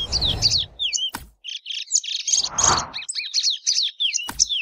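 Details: Plumbeous seedeater song: a rapid run of high, sweet whistled notes and trills, some slurred up or down, delivered in tight bursts. Occasional low rumbling noise and sharp clicks sound in the background.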